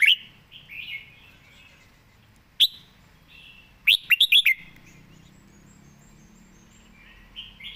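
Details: Red-whiskered bulbul, praised as a diligent singer with a good voice, giving brief bright bursts: a short warbled phrase at the start, one sharp note near 2.6 seconds, then a quick cluster of four or five chirpy notes around 4 seconds, with quiet gaps and faint low hum.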